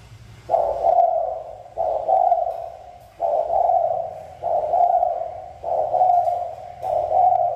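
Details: Spotted dove, named locally as cu gáy, linked to a mountain region, giving a loud, low cooing song. Six similar hoarse, even phrases follow one another about every 1.2 seconds with short gaps, over a faint low hum.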